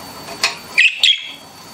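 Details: Pet budgerigars chirping indoors: one faint tick followed by two loud, sharp, high chirps in quick succession.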